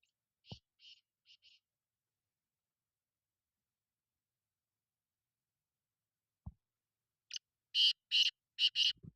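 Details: Black francolin, known as kala titer: a soft four-note grating phrase at the start, a long quiet gap broken by low knocks, then a loud repeated series of harsh notes near the end.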